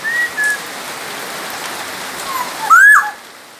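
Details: Black-naped oriole from Sumbawa, a lively tutor bird for other songbirds: faint whistled notes at the start, then one loud liquid whistle that rises and drops near the end, against constant hiss.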